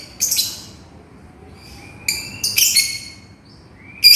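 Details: Lovebird calling to its companion: shrill, piercing screeches in short bursts, a double burst near the middle and another at the end, separated by quiet gaps.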